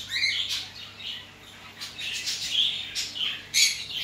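A zebra finch gives short, nasal, buzzy notes in a quick, scratchy string.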